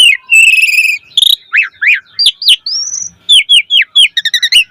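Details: Asian pied starling in lively, chatty song rich in varied phrases, used as a lure to prompt other starlings to sing: a long buzzy whistled note, then rising and falling slurred whistles and a fast run of short chips near the end.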